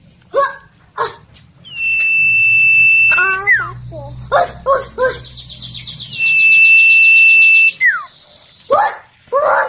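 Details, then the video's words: Ashy tailorbird singing loudly, used as a training song for magpie-robins: sharp chip notes, long steady high whistles and a fast buzzy trill over a faint low hum. "burung sirtu cipu gacor"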